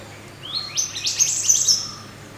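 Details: Mountain white-eye master song from nature for training birds: one short, very high buzzy twittering phrase, rising at the start and holding a dense shimmering trill.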